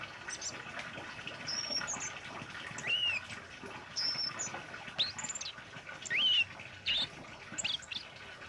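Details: Orange-headed thrush in full, lively song, recorded for training caged birds: a rapid string of high, clear whistles, slurred rising and falling phrases and sharp chips, with brief pauses between bursts.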